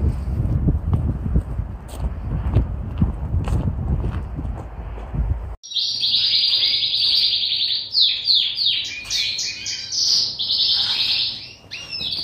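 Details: Paired canaries at the start of the breeding season on 16 February, with snow outside: low rumbling noise and handling sounds, then high, rapid rolling trills and chirps for the last six seconds.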